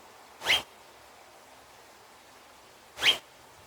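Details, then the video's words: Double-barred (owl-faced) finch giving two short, high, rising call notes about two and a half seconds apart, with quiet background hiss between. "Double Barred (Owl Faced) Finch Bird Sounds"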